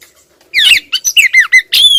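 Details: Female Oriental magpie-robin calling persistently toward the male, giving a rapid string of short harsh squawks and slurred whistles, ending in a buzzy, high note.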